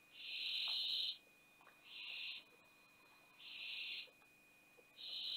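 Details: Barn owl chicks at the Théding nest box, 20 September 2021, around the fall of the youngest owlet; four drawn-out rasping hisses, the first longest, separated by quiet gaps of about a second, with a faint constant hum.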